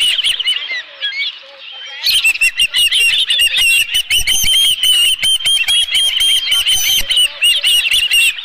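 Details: Osprey calling at a nest at Dunrovin Ranch on 11 July 2018, a live fish at the nest. Softer chirps for two seconds, then an intense run of shrill repeated whistles with loud clattering and rustling noises.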